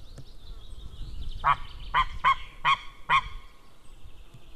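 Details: White-tailed eagle on the evening of 6 May 2016, with the male out and the female in, perhaps reacting to a stranger in the sky: five loud, evenly spaced yelping notes about half a second apart over soft background hiss.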